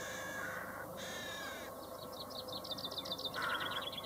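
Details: Chaffinch singing a rapid chain of repeated high notes that step downward, closing with a lower rattling flourish, after two shorter phrases, over heavy steady background hiss.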